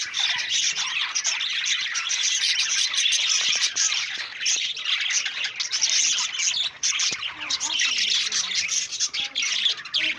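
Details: Budgerigars chatter continuously while eating, in a dense, high, scratchy warble broken by sharp chirps and squawks.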